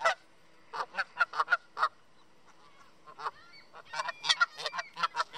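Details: Two Canada geese (Branta canadensis) eating bird seed on a park bench in Southern Ontario give loud, nasal honks in quick uneven bursts, then a busier overlapping run, possibly guarding the food or asking for more.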